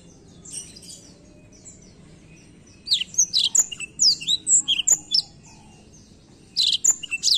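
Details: Black-throat song beginning faint, then a bright run of fast, high whistled and trilled notes, a pause, and another short warbling burst at the end.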